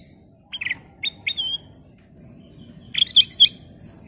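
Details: Ruby-throated bulbul (kutilang emas) singing actively: two or three short liquid whistled notes, a quiet pause, then a faster bright warbled phrase of several chirps, with a faint constant low hum.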